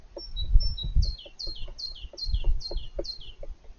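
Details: A male European green woodpecker excavating his nest deep inside the trunk of an old apple tree gives dull, irregular knocks about every half second, while a small bird repeats thin, high, falling whistles.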